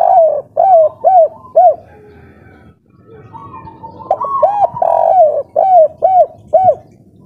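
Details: Local 'kuk 3' spotted dove (derkuku), excited and in breeding condition: a phrase of low hooting coos ending in three bowed notes, a gap with faint hum, then a fresh phrase with a lengthened coo and three more short ones.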